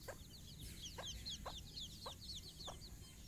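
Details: Calling her chicks for a morning walk, a hen gives five clucks in about three seconds while the chicks peep busily in high, falling notes against a steady background hiss.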